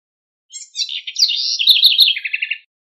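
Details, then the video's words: House wren (corruíra) singing one rapid, bubbly song of about two seconds: soft high opening notes, a jumbled run of warbling phrases, then a falling trill of evenly spaced chirps at the end; no other sounds. "Canto Passaro Corruira"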